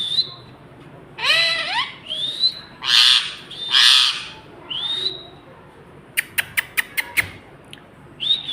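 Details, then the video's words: Ring-necked parakeet talking: loud harsh, speech-like bursts and rising whistled notes, followed by a quick series of sharp clicks and a final whistle. "Ring Neck Parrot 🦜 Talking"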